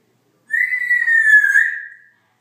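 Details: Congo African grey parrot kept as a pet, giving one long, steady, clear whistle of about one and a half seconds that dips slightly near the end before fading, in a quiet room.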